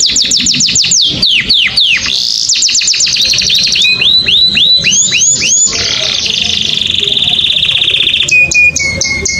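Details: Canary singing to excite hens and males: fast falling whistled notes, then trills of arched sweeps, a sustained buzzy rattle, and steady pure tones with high repeated chips near the end.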